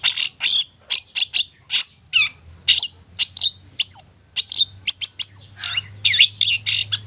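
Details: Played as a lure so quiet long-tailed shrikes become eager to sing, this shrike song pours out quick buzzy and whistled notes in a dense, rhythmic, varied stream.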